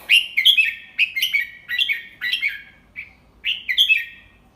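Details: Teacher Red-whiskered bulbul delivering the 'double three' song slowly and clearly for young birds to copy; a steady run of bright, slurred whistled phrases, repeated about seven times with short gaps.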